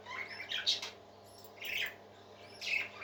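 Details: Parakeet song in three bursts of scratchy, squeaky chirps roughly once a second, each phrase dense and buzzy, quiet gaps between, faint hum throughout.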